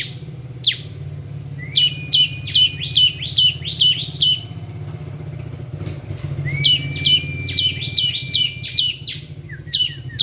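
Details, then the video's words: Bar-winged prinia giving ngebren song: quick sequences of sharp high chirps with hooked, whistled endings, led in by a rising thin whistle, against a constant low engine-like rumble. "Suara kicau ciblek ngebren"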